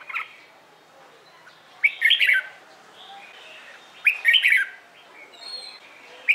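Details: Red-whiskered bulbul practising competitive song in the morning. Two loud warbling phrases about two seconds apart, each a quick burst of sharp, looping whistles. A fainter whistled phrase and a final sharp note follow, with soft chirps between.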